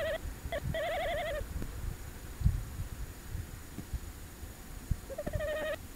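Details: Tawny owl on a brief night visit at De Mortel on 27 January 2021, live camera: a cluster of short quavering hoots, a long pause filled with faint knocks and rustles, then another trembling hoot.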